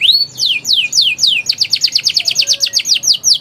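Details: Young canaries are prompted to sing by this canary: a few long sweeping downslurred whistles followed by a rapid, evenly repeated series of short buzzy chirps.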